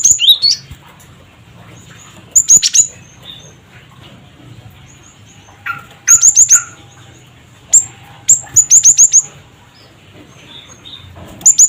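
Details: High, sharp cret cret wucit notes from a cinereous tit, used to stir other birds to call: short rapid bursts of three to five piercing whistles spread across the recording, plus single isolated chips.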